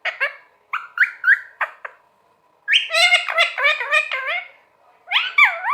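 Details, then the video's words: Pet talking parrot, a green parrot, producing a run of harmonic, voice-like chattering syllables in bursts, some rising and falling, with short pauses between phrases; indoors with a steady faint hum behind. "Parrot Sound Talking Parrot Bolne wala totha calling Mithu"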